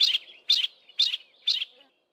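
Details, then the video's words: Yellow-breasted apalis, one bird giving part of its duetting call with no reply from its mate, in a thick wooded valley west of Grahamstown; four bursts of high, rapid chirpy notes, roughly every half second, over a quiet background. "Yellow-breasted Apalis calls"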